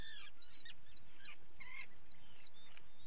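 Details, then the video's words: Common guillemots at a colony while chicks are being fed, 28 June 2020, from a live camera: a mix of harsh, buzzy adult calls and short, high, thin peeps overlapping throughout. "Feeding Guillemot chicks"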